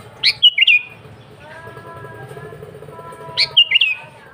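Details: Sooty-headed bulbul in constant natural song, with no mimicked phrases, used as a calling lure; two crisp, bubbly phrases of four liquid notes, three seconds apart, separated by soft faint tones.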